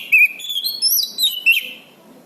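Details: Orange-banded thrush singing, recorded as master material for training birds: a short phrase of bright whistled notes rising and falling, with a few sharp chirps, over light background hiss.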